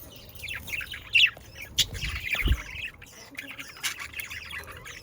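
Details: Pet budgerigar from the Netherlands mixing harsh little squawks with a running warbled chatter, uneven and continuous, one soft low bump in the middle.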